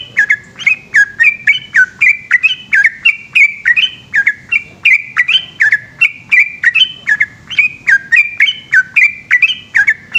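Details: Over ten seconds of a yellow-vented bulbul's long night song in the ropel manner: dense, bubbling whistled phrases pour out almost without break, each a quick rising-and-falling slur, over faint low background noise.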